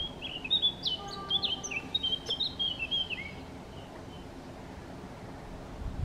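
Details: Eurasian blackcap singing in pauses from feeding, Chełm, Poland, 17 May 2022: a rapid chattering warble that breaks into bright, descending flute-like whistles for about three seconds, then only low steady hum.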